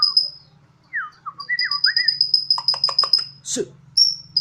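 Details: A caged White-rumped shama of Borneo sings eagerly like a siren. High piercing whistled notes repeat quickly, mixed with looping mid-pitched slurs and a burst of sharp clicks, over a faint low hum.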